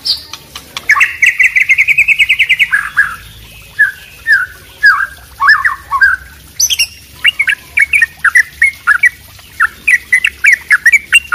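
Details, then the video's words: Wambi white-rumped shama mixed with trickling water: a rapid rattling trill, then slurred descending whistles, then a long series of short sharp chip notes over a constant water sound. "suara kombinasi murai batu wambi dan trucuk ropel kemricik air"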